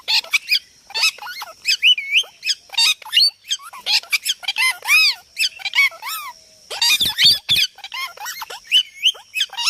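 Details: Near-continuous parrot chatter of shrill squawks, rising and falling whistled notes and quick chirps, densest toward the end, with no recognisable words.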